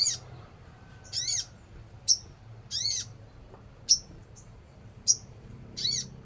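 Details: Crimson sunbird (sogon) of Indonesian bird-keeping, alternating very short, piercing high ticks with slightly longer harsh, rasping buzzy notes, roughly one sound every second, with quiet hum between.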